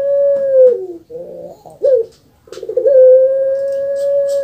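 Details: Well-kept pet puter pelung dove, a bird famed in Indonesia, especially Java: a long, steady, mellow hooting coo, then a break of throaty gurgling, rolling notes, then another long drawn-out even coo to the end.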